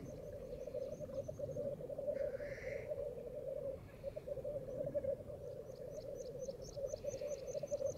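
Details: Black grouse in dense fog at World's End: steady low bubbling and cooing throughout, broken by a short hissing rush, with a faint series of quick high ticks near the end.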